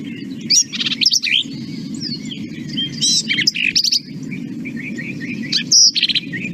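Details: Black-capped Vireo song, short emphatic phrases of quick, sharp, high notes about one phrase a second over a steady low rumble; some three-note phrases are supposedly the 'drink your tea' mnemonic.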